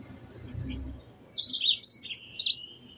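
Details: Yellow-fronted canary song used as master training audio: after a second of low background rumble, three bursts of high, fast twittering warbles with quick up-and-down sweeps.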